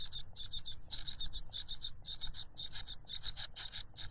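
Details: Cuckoo chick noisily grabbing food from its foster parent, which stuffs a butterfly into its mouth; very high, hissing-chirpy begging notes in rapid bursts, several a second, almost nonstop.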